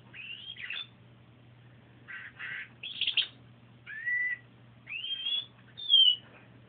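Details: Domestic canary singing a bit on a sunny day, captured by phone: separate clear whistled phrases, some slurred rising sweeps, one falling note, and short rattly bursts, spaced about a second apart over a steady low hum.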